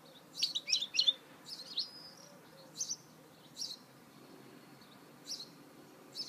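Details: Goldfinch mule recorded in 2018 utters a quick group of sharp, high tweets, then isolated high chirps and a thin, drawn-out whistle, spaced about a second apart.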